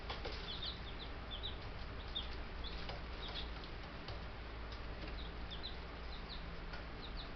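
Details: Baby Buff Brahma chicks, ten of them, four days after collection in May, peeping in scattered high chirps amid tapping sounds and a low constant hum.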